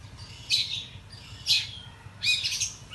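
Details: Agitated male oriental magpie-robin singing aggressively in the morning, tail spread: three bursts of bright, scratchy whistled phrases about a second apart, high-pitched and excited, over a faint low hum.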